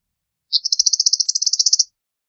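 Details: Eastern meadowlark giving a rapid, dry chatter: about fifteen buzzy pulses strung evenly over roughly one and a half seconds, high-pitched and steady, with no other sounds.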